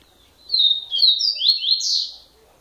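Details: Double-collared seedeater singing one fast phrase of sharp, high slurred notes that step upward in pitch and run together for under two seconds, over a quiet background.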